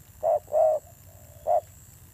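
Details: Spotted dove decoy bird with a fierce voice: one short-long pair of low coos, then a single brief coo after a pause.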